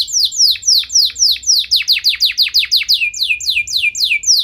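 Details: Canary in full, persistent song meant to excite other canaries into singing along: steady series of loud downward-sweeping whistled notes, about four per second, each with a faint higher echo, over quiet background.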